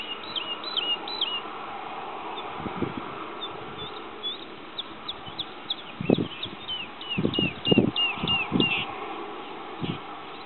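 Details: Singing male woodlark at Sceaux-d'Anjou, Maine-et-Loire, recorded 2.7.09: a run of quick, clear, high fluty notes, each sliding down, repeated in a rapid series, over low thumping bumps and quiet background hiss.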